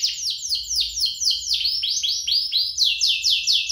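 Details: Canary duet used for prompting canaries to sing and for tutoring young canaries: a continuous chain of high, fast descending slurred notes repeated a few times per second, bright and rolling without pause.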